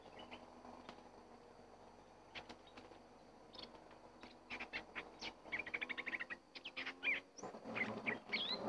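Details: Red-whiskered bulbul calls in a forest, where a wild bird is being lured with a caged decoy bird. After quiet hum, short sharp chirps and bright whistled notes crowd the second half and grow louder and quicker toward the end.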